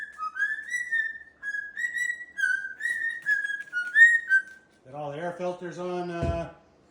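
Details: Pet sulphur-crested cockatoo indoors during a blow-drying session with its owner, giving a series of clear whistled notes that rise and level off, repeated about every second, then a lower, throaty voiced call near the end.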